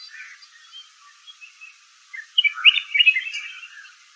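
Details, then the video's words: Red-whiskered bulbul giving soft scattered chirps followed by a louder run of quick, bubbling chirped and warbled notes in the second half; no other clear sounds. "Red whiskered Bulbul bird"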